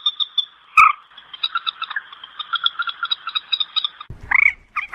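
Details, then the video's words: Common moorhen producing a long, fast, even rattle of soft clicking notes over a steady tone, broken by a sharp crack near the start and ending with a harsher rising squawk. "Tiếng Trích Rẽ (Quốc Biển, Quốc Mốc) File 1 - Moorhen Bird Call"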